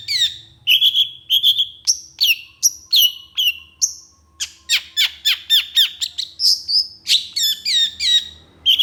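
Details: Long-tailed shrike singing loudly in response to other shrikes, full of rough imitations: drawn-out harsh notes, then quick strings of sharp, high chips and sweeps.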